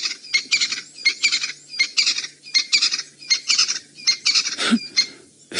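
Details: Crested francolins calling very close during an afternoon game drive on 18 January 2018 near a leopard and her cub, loud harsh rattling 'chick-da-da-da' chatters in quick bursts; possibly reacting to the leopard.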